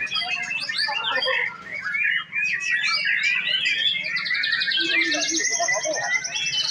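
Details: White-rumped shama male, farm-kept, pours out a varied rapid song of twittering phrases and sharp whistles that shifts into a buzzy high trill near the end, with a man speaking in the background.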